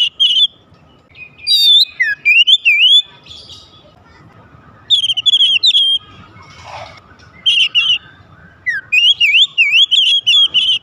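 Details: Oriental magpie-robin song for provoking rivals to sing: loud repeated zigzag whistled phrases in rapid bursts, separated by pauses, with faint scratchy noise in the middle.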